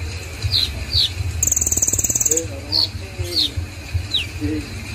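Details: Konin songbird singing short, bright, downslurred whistles in scattered notes, with a dry rattling trill in the middle, over a steady low hum and faint speech.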